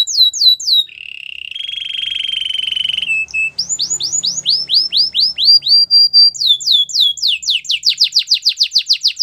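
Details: Training song of a canary: quick falling whistles, a sustained buzzy roll, then descending swoops at a slower pace, ending in a rapid, dense trill of sharp downward notes.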